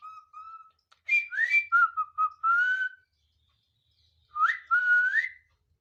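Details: Talking pet parrot, known as mithu, producing clear whistled notes that rise and hold, broken by brief rough bursts, then after a pause two more upswept whistles.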